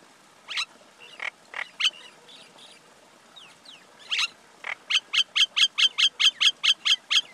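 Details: Common myna, male and female: scattered harsh broadband squawks and a few gliding whistles, then a rapid even series of about twelve sharp clicking notes repeated roughly every fifth of a second.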